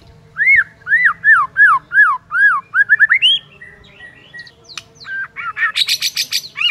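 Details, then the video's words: White-rumped shama singing in the morning, provoking rival birds: a series of clear arched whistled notes about three per second, a quick rising phrase, then varied sharp calls and a harsh high burst. "HITUNGAN DETIK DI PAGI HARI BIKIN MURAI LAWAN AUTO NAIK EMOSI SEKETIKA"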